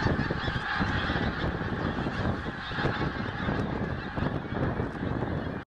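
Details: Early-morning goose flock at Snettisham, after rising at 4 am. Massed honking over a heavy low rumble, possibly wind, fading out at the end.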